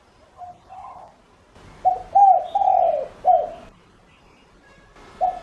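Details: Spotted dove used as a caged lure bird, giving its lure call to draw in other doves: a soft low cooing phrase of three to four hollow notes, the middle one drawn out and falling, with another coo at the end.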